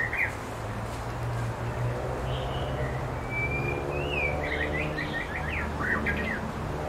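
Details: White-rumped shama, one of a pair feeding nestlings at a nest on the North Shore, giving a string of clear, varied whistles and short slurred notes, some rising and falling, over a steady low hum.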